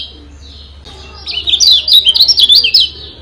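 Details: A Lombok yellow white-eye gives a rapid, high, tinkling twitter of thin notes that rise and fall for about two seconds, over a faint low hum.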